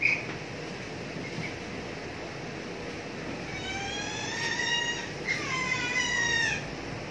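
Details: Pet cockatoo that dances and gets very noisy when people play with it, saying "kakak tua"; quiet at first, then two drawn-out, harmonic, slightly falling calls in the second half of the clip.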